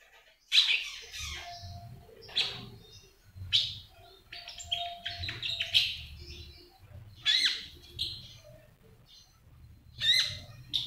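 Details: Kept common iora delivering trotolan-style song meant to prompt other birds to sing: repeated high, sharp chirping bursts every second or two, with lower fluttery notes between and a steady low background rumble.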